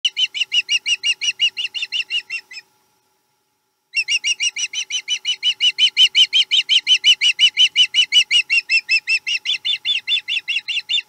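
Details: Osprey at a Chesapeake nest on 7 April 2020 while menhaden is eaten: fast series of sharp, harmonic chirps, about three per second and steady, with a brief pause near the start and no other clear sounds.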